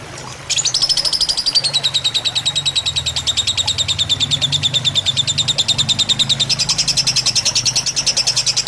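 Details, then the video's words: Lovebird, fighter style, from a training recording set over trickling water to calm birds: after a brief quiet start, a long unbroken chatter of rapid high chirps, slightly falling then rising, over a low steady hum. "Suara masteran lovebird fighter dengan gemericik air"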